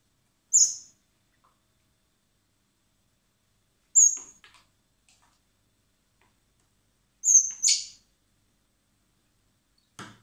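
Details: Spring begging of common blackbird nestlings being hand-fed at a wildlife rescue centre before release: short, very high, thin squeaks spaced roughly three seconds apart, the last one doubled and buzzier, with faint clicks between.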